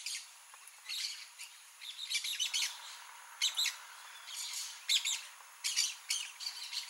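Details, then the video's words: Blaze-winged parakeets, a rare bird in Brazil found only in Mato Grosso do Sul, give harsh, high screeching calls in short grating bursts, several overlapping in quick irregular series. "BLAZE-WINGED PARAKEET (PYRRHURA DEVILLEI), TIRIBA-FOGO"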